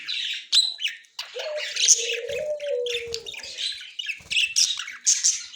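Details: Budgerigars, white male and yellow-green female, October 30, 2024, chattering in high scratchy warbles and clicks, while a lower steady whistled tone runs underneath for about two seconds.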